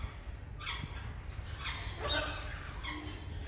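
A Moluccan eclectus gives about four harsh, raspy squawks over three seconds, each a short broad burst, over a steady low indoor rumble.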